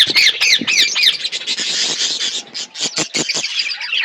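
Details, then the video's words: Budgies in a flock feeding: rapid run of squawky, buzzy chirps, several birds overlapping, with quick clicking notes in the second half. "Birds chirping beautiful budgies flocks birds eating food"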